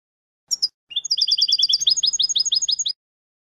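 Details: Teaching recording of goldfinch song for young birds: a pair of bright introductory chips, a pause, then a rapid string of ringing high notes that shifts into a rhythmic trill of rising twitters, about twenty elements in two seconds.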